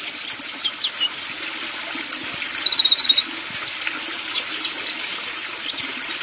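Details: Sunbird, known locally as kolibri, in full energetic song: very high, thin twitters and short trills, a drawn-out descending whistle near the middle, then dense rapid chattering notes, all with a faint steady background hiss.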